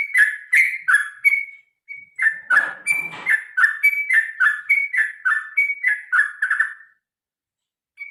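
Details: Sooty-headed bulbul (trucukan) in a long, energetic fighting-style song, used to stir other birds into singing: rapid bubbly whistled phrases repeated about three per second, with a short broadband rustling burst midway and a brief pause near the end.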